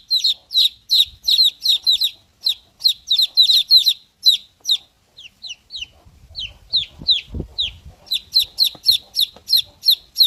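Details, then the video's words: Young chicks peeping loudly in fast, high, falling notes, nearly three per second, easing to sparse single cheeps midway before a dense burst resumes; soft low bumps and handling noise beneath. "chicks Chirping sound"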